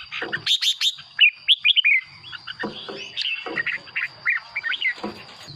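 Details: Red-whiskered bulbul song, played to excite caged birds or as a decoy: a run of short, bright, warbled notes that rise and fall, some sharply looping, in bursts over a steady high whine with faint low clicks.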